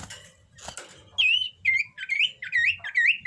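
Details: Common iora in breeding condition repeats a sweet whistled note five times, each one dipping and then rising, spaced about half a second apart after some soft rustling.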